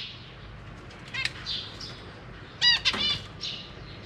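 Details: Caged zebra finches, parents busy feeding newly hatched babies and juveniles; a few short harmonic nasal calls, one stacked pair near the end, with wing flutters and a quiet background.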